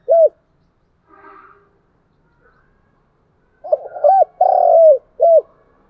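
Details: Spotted dove calling to attract and stir other doves: a lone short coo, a soft distant murmur, then a full phrase of stuttering short coos, one long purring falling coo and a closing arched note.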